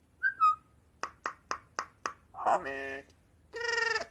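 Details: Tame, rare white-eyebrowed myna that can sound like a robot: a short whistled note, five sharp evenly spaced clicks, then two buzzy, harmonic, electronic-sounding tones.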